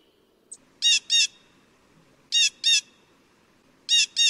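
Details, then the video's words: Blue jay repeating paired harsh squawks, each pair of short raspy notes spaced about one and a half seconds apart, with a tiny click before the first pair and a quiet background. "Blue Jay Bird Sound Noisy, Beautiful, Interesting - Exceptional Blue Jay Calls"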